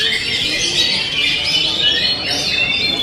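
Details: Oriental magpie-robin (kacer) singing a rapid stream of high, bright whistles and twittering slurs, sustained without pause, with busy overlapping bird notes behind.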